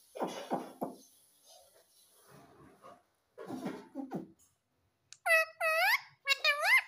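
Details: Baby ringneck parrot, a green pet parrot, indoors: low murmuring, speech-like sounds at first, then a run of loud, harsh, arched squawks with rich overtones in the last two seconds, repeated in quick bursts.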